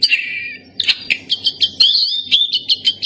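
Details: Black-capped white-eye vocalising: a lower sliding whistle, then a series of sharp high chips and a wavering whistled trill.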